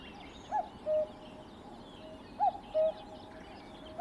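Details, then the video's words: Cuckoo singing: clear two-note cu-coo, a short higher note sliding down then a lower steady note, given twice about two seconds apart over a low background hum. "Cuckoo Bird Singing"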